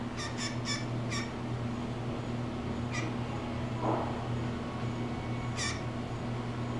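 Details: Blue jay, a male that seems to be talking to the camera, gives four quick harsh notes, then single rasping calls spaced seconds apart, with a faint softer sound in the middle and a low hum behind.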